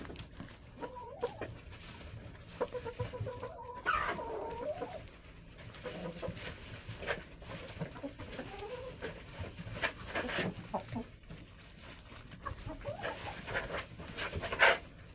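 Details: Backyard hens in a winter coop during days below zero with snow, about 10 degrees inside, cluck softly: drawn-out, slightly rising tonal calls mixed with short clucks and scratching and rustling noises throughout.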